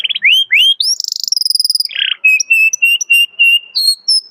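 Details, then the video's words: Canary in full 'cuit cuit' song calling out a rival, meant to coax young canaries into learning sounds: quick upward-sweeping whistles, a fast rattling trill, a harsh burst, then a string of clear repeated mid-high notes about twice per second. "KENARI GACOR CUIT CUIT MEMANGGIL LAWAN BIKIN EMOSI"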